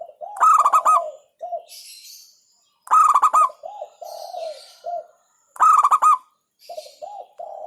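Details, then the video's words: Hentakan song of a local zebra dove (perkutut lokal), said to provoke rivals: punchy phrases of rapid pulsed coos every two to three seconds, each followed by softer, lower, drawn-out coo notes. "Hentakan Burung Perkutut LOKAL Suaranya Berkelas bikin Emosi Lawan"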